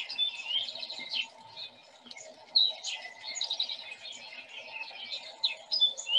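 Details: House sparrows give a busy run of short, bright 'chip' calls in the foreground of a field near a house in Murray on March 5, 2021, with other songbirds such as a tufted titmouse around them and a low steady hum beneath.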